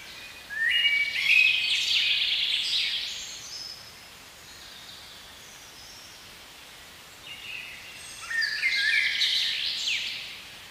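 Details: Blackbird song in a spring forest: a rich warbled phrase with high squeaky flourishes, a long quiet gap of soft hiss, then a second phrase of fluty notes and chatter.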